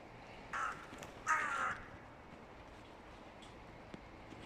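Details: Crows from two rival clans calling noisily as the nesting season nears: two harsh caws, the second louder and longer, then quiet outdoor background with a couple of faint clicks.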